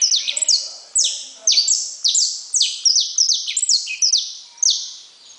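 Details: Loud saffron finch song of high, sliding downward notes in rhythmic groups spaced about half a second apart, with faint low murmurs in the background at the start.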